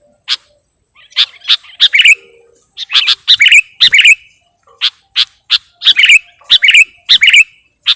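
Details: Sooty-headed bulbul lure recording for attracting kutilang: bursts of buzzy chips mixed with bright, slightly bubbling whistled notes, delivered in quick groups of two to four.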